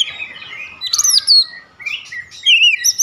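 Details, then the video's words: Oriental magpie-robin, known locally as kacer, singing a daily lure song meant to trigger singing: varied whistled phrases and buzzy notes, some sliding down, with a clear high rising-falling whistle near the end. "pancingan harian Kacer langsung gacor"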